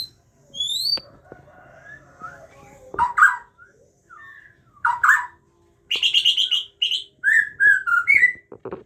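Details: White-rumped Shama of the Aceh type in captive breeding, parent feeding its chicks; scattered whistles and sharp chirps give way to a fast burst of harsh, repeated high chirps, then several downslurred whistled notes, with light clicks and knocks.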